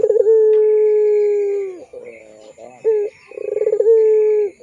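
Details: Barbary dove lure call in the long pelung style for training young doves: a drawn-out level coo fading at its end, soft warbling, then a rapid pulsed roll rising into another long coo.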